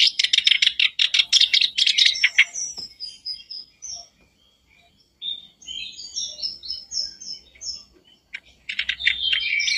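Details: Kerak basi singing to provoke a caged bird: fast rasping chatter, then a quieter spell of thin, high, sliding whistles, closing with renewed harsh notes.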